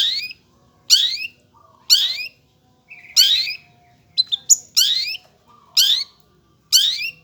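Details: Long-tailed shrike giving loud harsh, rasping notes roughly once a second, each a scratchy upward-sweeping burst, with a couple of short sharp clicks and chips slipped in between.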